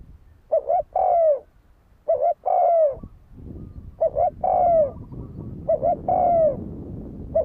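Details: Fighting coo of a spotted dove, used to provoke a decoy bird into fighting. Four repeated phrases and the start of a fifth, each a clipped two-part note then a drawn-out falling coo, about every second and a half.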